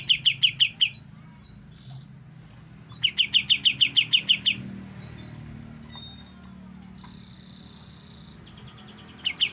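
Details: A young white-shouldered triller beginning to learn its song produces two bursts of quick, sharp chirps separated by a pause of a couple of seconds, then starts a third burst at the end; a thin high whine and faint low hum continue throughout.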